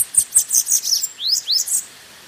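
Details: Bananaquit song for warming up birds: high, sharp, tinny notes repeated quickly, then two upward-sweeping buzzy notes and a final high chip.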